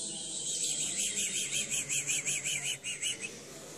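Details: Timbrado canary singing in competition: a fast, even run of wavering high notes, about two or three per second, forming a rolling, bubbling trill over a steady background hiss.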